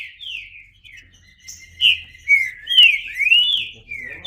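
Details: Green-winged saltator giving sweet, drawn-out whistles that slide upward and downward, building from soft opening notes to louder slurred phrases.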